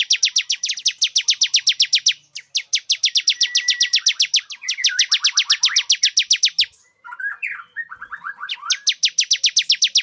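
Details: Bar-winged prinia male song for luring a female into breeding condition. Long bursts of rapid, ringing, machine-like notes repeat with short gaps, broken once by a lower, jumbled chattering phrase before the fast series returns.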